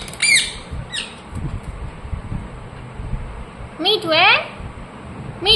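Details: Ring-necked parakeet, a pet talking parrot, gives a few shrill squawks at the start and end, with a quick run of rising, wavering chattering notes near the middle; a person's voice is faintly heard.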